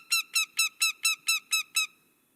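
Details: American Goshawk on New York's Finger Lakes Trail gives a harsh, nasal kak-kak-kak: eight loud, even notes about four per second, then silence. Hikers hearing this call are advised to avoid the bird.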